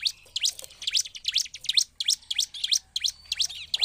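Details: A Bar-winged Prinia, recorded as a lure to provoke other prinias into singing, pours out a lively, high-pitched song of quick, sweeping chips, about three per second, with no other sounds.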